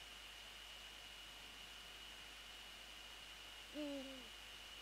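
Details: Eurasian eagle-owl at the nest at night, 20 January 2014, giving one short, low, downward-slurred hoot after a stretch of quiet, with a steady high electronic whine throughout.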